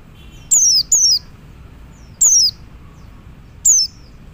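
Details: Male Oriental white-eye calls to other white-eyes with clear, high, downward-sliding whistles, first a close pair, then two single notes, four in about four seconds, over soft low background noise.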